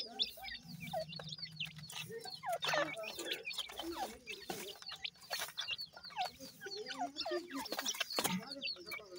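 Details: Irani partridge chicks feed while a steady low hum runs beneath busy high chirps, soft clucks and bright clicking pecks, with calls overlapping in a constant chatter.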